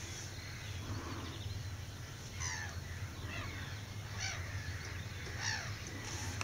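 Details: Avocet at Blacktoft Sands RSPB Reserve in June 2009: short harmonic call notes given about once a second, clearer in the second half, over a steady low rumble of background noise.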